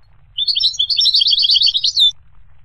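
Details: One continuous, tinkling goldfinch phrase of rapid high notes that jump up and down for nearly two seconds over a faint low hum.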